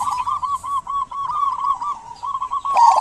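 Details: Zebra dove of a local type in lively full song, played to coax silent doves into singing. It gives a continuous run of quick, soft, bubbling coos at an even pitch. There is light background hiss and a brief clatter near the end.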